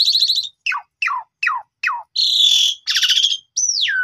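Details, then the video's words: Asian pied starling singing a full, filler-rich lure song for training: a buzzy opening, five evenly spaced descending whistles, two harsh rasping bursts, then one long falling whistle. "PANCINGAN JALAK SUREN GACOR FULL ISIAN"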